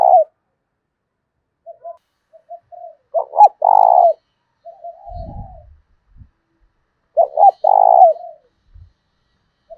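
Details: Challenging cooing of a decoy spotted dove urging a rival to fight, thổ đồng voice style: repeated phrases of two clipped notes and a long rolling coo about four seconds apart, with softer coos between and a low thump.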